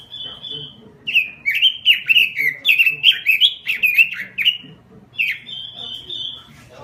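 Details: Robin lure and tutor song: a level high whistle, then about three seconds of rapid, bouncing warbles, and a second whistled phrase.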